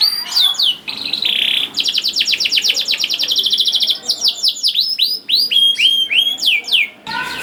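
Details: Canary song aimed at coaxing young canaries to sing: sweeping chirps, a buzzy burst, a long even trill, then loud slurred whistles and hooked notes in fast succession.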